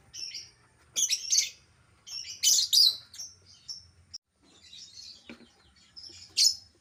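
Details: Albino lovebird chattering: sharp, high squeaky chirps and scratchy twittering bursts, uneven groups of quick notes separated by short pauses, with one louder shrill note near the end.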